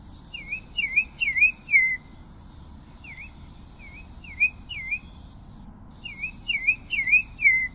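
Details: Pale-breasted thrush (Turdus leucomelas) singing clear whistled, slurred notes grouped in short phrases of three or four. Each note dips and rises, and brief pauses separate the phrases, over a faint low background hum.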